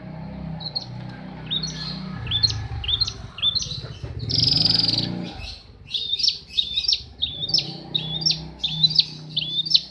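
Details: Long-tailed shrike in breeding condition repeating a short rising whistled note with a sharp tick, roughly twice a second, interrupted by a loud buzzy rasp midway, over a low rumbling background.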